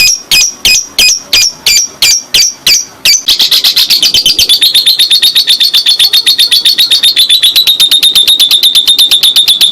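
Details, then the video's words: Lovebird of the fighter type giving a long ngekek song, used to prompt silent lovebirds to answer: sharp chattering notes, then a fast, steady, buzzy rattle repeated about three times a second that runs for several seconds. "Love Bird Ngekek Panjang"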